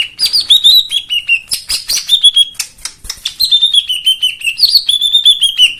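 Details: White-eye song, played as a lure to get silent white-eyes singing with a rich fill-in: clear high whistled notes sliding downward in linked phrases, with sharp dry clicks between them, continuous throughout.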